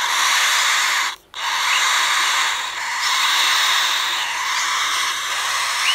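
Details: Three young cockatiel chicks, hatched from a pair's first clutch of four eggs, inside a wooden nest box in captivity. A continuous harsh, hissing rasp with a brief silent break, then steady raspy buzzing.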